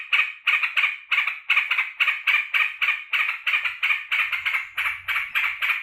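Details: Kept sooty-headed bulbul delighted at its owner's return from work, pouring out steady, fast, rasping chatter notes about three to four per second, with a faint low rumble in the background toward the end.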